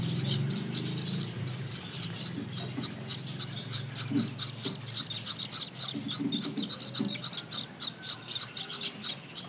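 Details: Gouldian finch chicks learning to take hand-feeding give insistent high chirps, roughly three or four per second, in an unbroken run, with soft low handling noises in the background.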